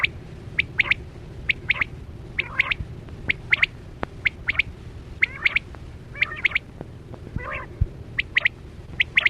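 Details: Quail lure call used by hunters with nets, 2024-25: evenly repeated crisp double chips with occasional harsher grating notes between, over constant faint hum and sparse clicks.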